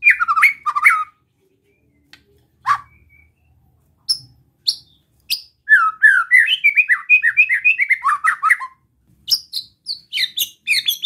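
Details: White-rumped shama giving besetan song meant to rile other shamas: scattered sharp chips and short phrases with pauses, then a fast burst of tumbling, rising-and-falling notes and a final high, ringing flourish.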